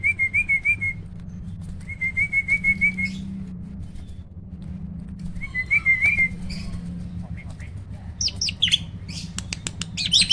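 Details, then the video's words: Three warbled whistle runs come from a caged hybrid starling, a pied and black-winged starling cross used as a vocal tutor. Loud harsh squawks and screechy notes follow near the end, with low hum in the background. "BURUNG JALAK HYBIRD || GURU VOKAL SUARA ROLL TEMBAK."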